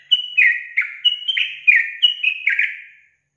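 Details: Yellow-vented bulbul song used to provoke young bulbuls: loud, quick chattering phrase of bubbling notes, each dropping in pitch, about ten notes in three seconds.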